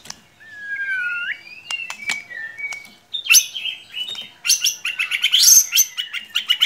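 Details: Lure recording of a white-rumped shama used to make a reluctant bird sing: looping sliding whistles and short level notes, then harsh bursts and fast, dense, scratchy high phrases.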